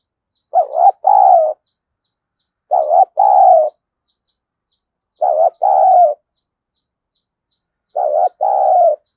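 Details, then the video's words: Spotted dove kept as a decoy, cooing to stir rivals to fight; 'thổ' style voice. Four matching two-part coos repeated roughly every two and a half seconds, with a faint steady high ticking behind. "Chim Cu Mồi Thúc Đấu , cu gay kich boi nhanh noi gù/cu gáy thúc đấu"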